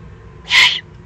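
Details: Loud, breathy screech of a young Eurasian eagle-owl begging, Eifel region of Germany, June 2020; one call of about a third of a second, clear above faint low background noise.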